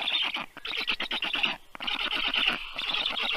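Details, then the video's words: Rescued black stork chicks, 30 days old, clamouring as they are fed at a Tartu vet clinic, Estonia; short bursts of rasping, squeaky pulsed calls, about one burst per second, overlapping loudly. "Must-toonekurg2~Great feeding by Toru! Little ones are stuffed~"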